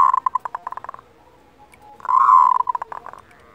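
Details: Local zebra dove calling kerot, a lure to increase breeding desire and emotion. A fast run of staccato notes comes first, then a loud, rough rolling burst that trails off into quick separate pulses.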